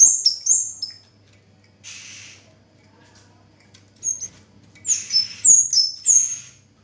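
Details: Orange-headed thrush, known locally as kemade or cigen, singing steadily: high, thin whistled notes that slide sharply up or down, given in short bursts with gaps, plus brief hissing noises between phrases.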